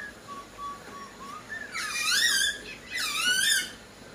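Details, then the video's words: Energetic singing from a Poksai Hongkong laughingthrush: soft low whistled notes lead into two loud, squeaky, harmonic-rich phrases, each about three quarters of a second long. "POKSAI HONGKONG GACOR DOR"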